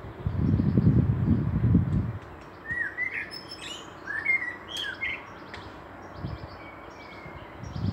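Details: Common blackbird singing in Meschede, Germany, on 18 May 2021, with a pair of fieldfares nearby. Short fluted, warbling phrases with thin, higher twittering flourishes come in the middle seconds. Low rumbling wind or handling noise fills the opening two seconds.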